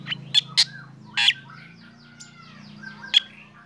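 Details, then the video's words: A black drongo sings in the morning while sunning, setting other birds off: several loud harsh bursts, one long rasping note, then quieter descending whistled slurs from other singers over low background hum. "KICAUAN SRIGUNTING HITAM PAGI HARI SAAT DI JEMUR BIKIN BURUNG LAIN IKUT BUNYI"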